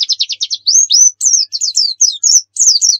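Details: White-eye singing 'nembak' style as a bait recording for other birds: a quick string of rising trill notes leads into clear whistled slurs and high, looping chirped phrases with brief gaps.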